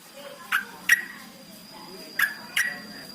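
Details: Yellow-vented bulbul calls used as a lure to make kept birds sing: two pairs of crisp chirps, each dropping in pitch, the pairs separated by over a second, with a constant thin electronic tone behind.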